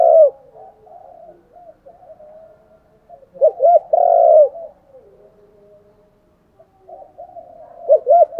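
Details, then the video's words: Male and female spotted doves cooing as decoys to get training birds calling fast: a coo at the start, a full phrase of two quick hoots and a long buzzy coo near four seconds, soft murmurs, then two more hoots. "tiếng chim cu gáy thúc đấu. cu gáy kích bổi nhanh nổi gù, chim cu mồi giọng hay dùng tập bổi"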